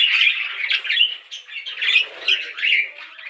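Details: Budgies give rising and falling warbled chirps in uneven bursts, a scratchy chatter that swells and fades roughly every half second.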